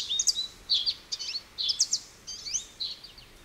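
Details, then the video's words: Short, high twittering phrases from an American goldfinch, each a cluster of bright chirps and descending slurs, repeated about every half second over a soft hiss. "American Goldfinch Bird Call Song"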